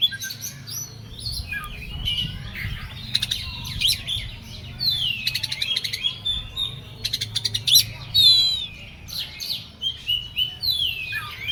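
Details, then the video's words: Agitated Oriental magpie-robin pouring out a varied song of sweet rising and falling whistles, scratchy chatters and sudden harsh rasping bursts, phrases tumbling one after another over a faint low background hum. "KACER EMOSI KONSLET"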